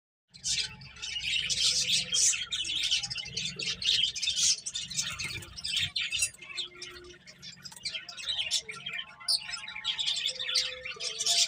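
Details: Finches eating and playing, giving a dense chorus of overlapping short high chirps and tweets throughout, with a steady low hum and soft tonal notes in the background.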